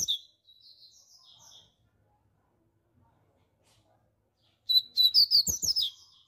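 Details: Loud song of a rusty-collared seedeater, opening with soft slurred whistled notes, then after a quiet gap a rapid, emphatic run of high, buzzy chirping notes.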